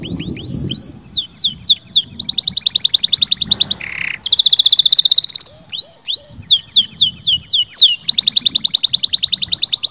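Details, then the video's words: Canary song for prompting mating in males and females: rows of quick upslurred whistles alternating with dense, very fast trills, a brief buzzy note in the middle, and a soft low rumble underneath at the start. "التغريد الاقوى في عالم طيور الكناري لتهيج الذكور وتهيج الاناث على التزاوج"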